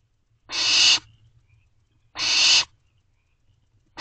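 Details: Barn owl owlets in a nest box at night, 24 May 2023, begging parents for food; two drawn-out harsh hissing screeches two seconds apart, a third just starting at the end.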